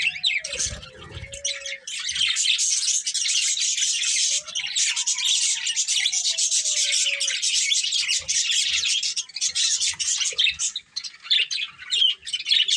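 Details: Several colourful budgies chatter continuously in a bright, buzzy, high-pitched warble, with a low tonal whine gliding through the middle of the recording.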